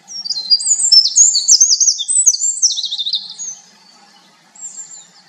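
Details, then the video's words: Winter wren sings a long, rapid, very high jumble of tinkling trills and warbles for about three seconds, then a brief faint phrase after a pause. "El Chochin Hiemal"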